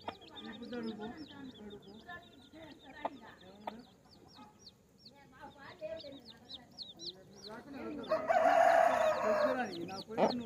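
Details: Baby chicks together with a hen: continuous high, downward-slurred peeping chirps, mixed with soft low clucking, ending in a loud rushing noise near the close.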